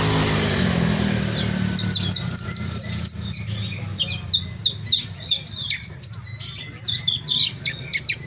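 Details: Javan bush lark in lively, frequent song: a rapid, varied run of sharp high chirps, short whistles and buzzy trills, several notes a second, over a steady low hum.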